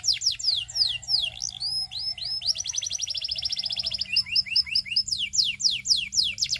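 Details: Russian canary singing: rapid varied phrases of high sweeping notes, descending slurs, a fast even trill in the middle and repeated chirps, loud and bright throughout.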